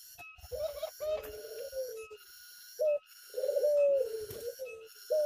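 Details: Outdoors, a tame Zebra dove delivers a string of low, burry coos, some short and clipped, others drawn out and gently falling, with a steady electronic hum and high tone in the background.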